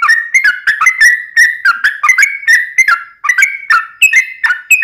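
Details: Lively yellow-vented bulbul delivering a rapid 'ropel' song: continuous liquid whistled phrases, each note slurring up or down, packed closely with barely any gaps.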